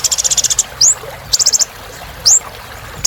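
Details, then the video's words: Sunbird known as kolibri ninja singing vigorously for bird-singing therapy: short high-pitched pulse trills alternate with single sweeping upward whistles, the pattern repeated twice in three seconds. "Kolibri Ninja Gacor"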